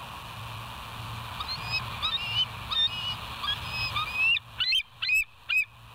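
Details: Bald eagles on the West End live cam, recorded 07/09/2023 at 06:24. Soft, thin, high chattering notes build into four louder, sharp piping squeals near the end, with a constant background hum.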